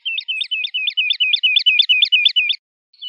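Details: Woodlark producing a steady run of about a dozen identical, liquid two-part notes in quick succession, then falling silent.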